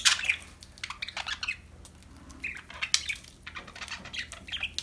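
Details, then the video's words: Happy budgies chirping: busy, rapid chatter of squeaky chirps and scratchy notes, overlapping and nearly continuous throughout. "Happy budgies chirping sound"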